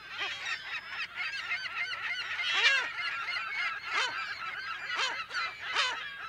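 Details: A thick chorus of California gulls in colony, the calls harsh and bending, with several louder nearby cries standing out every second or so above the mass of voices. Mono recording, close to mid distance.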